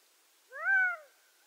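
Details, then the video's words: A single plaintive call from a Gambel's quail, nasal and arched, climbing briefly, sustained, then sliding down, with near silence before and after. "Game Bird Sounds Video: Bird Songs Western North America-Gambel's Quail"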